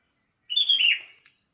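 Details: Sooty-headed bulbul singing in the morning: one bubbly, warbled phrase under a second long, sliding between mid and high notes, with a short faint note trailing after, against a quiet background.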